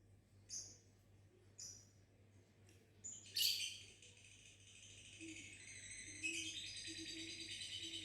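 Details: Lovebird, confused and acting cute, played lure songs in the ngekek and gacor styles; a few short high chirps, then a long bright buzzy trill rising from about three seconds and running to the end.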